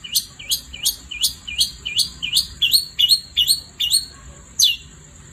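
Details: Long-tailed shrike in full song at night, giving a steady series of about a dozen quick upward-sweeping whistled notes, roughly one every half second, with a final louder sweep after a short pause.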